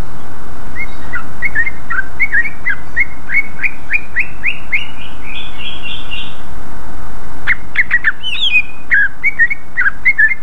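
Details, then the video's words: Lively greater green leafbird song meant to provoke other leafbirds to answer: a fast run of chirps climbing steadily in pitch, a brief pause, then a sharp burst of higher, scratchy notes. "Pancingan suara burung cucak ijo gacor ngeplong paling cepat di respon cucak ijo lain"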